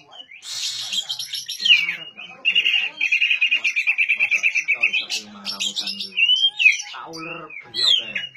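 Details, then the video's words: Oriental magpie-robin singing, used to prompt a silent bird to start: a harsh burst at the start, then a long series of quick repeated notes and varied whistled phrases. "suara asli kacer untuk memancing kacer macet bunyi"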